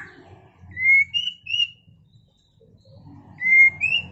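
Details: White-rumped shama mating song: pairs of pure, clear whistles, the second of each pair higher, given in two bursts separated by a quiet pause, with faint low rumble in the background.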